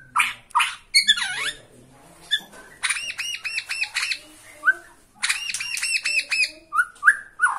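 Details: Bornean white-rumped shama singing agitatedly in one spot at the sight of a rival: scattered sharp notes and a looping slurred phrase, then two fast series of repeated arched notes, with short upslurred whistles between.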